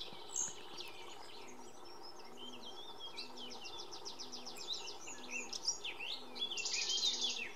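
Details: Iberian pied flycatcher in song, Sierra de Piedrahita, central Spain, 4 May 2014. A rhythmic run of rapidly repeated high notes is heard, ending with a loud buzzy burst from another singer, amid a background bird chorus.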